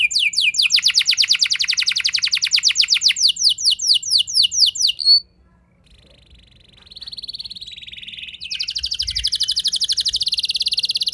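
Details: Domestic canary in 'ngeroll' style, singing a lure song to trigger other canaries: a fast high trill slowing into swooping whistles, a pause, a softer warbled phrase, then a long rapid rolling trill.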